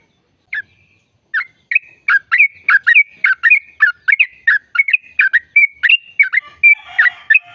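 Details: Sooty-headed bulbul, kept as a caged bird, giving a long rapid trill meant to stimulate other caged birds: bright chirped notes with short whistled tones, repeated about three per second in a steady run.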